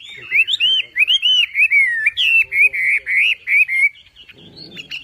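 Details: Wambi, the Javan pied starling, in a gacor masteran song: a steady run of looping, slurred whistles, each note bending up and down, about two per second, ending in a brief soft rattle and a final whistle.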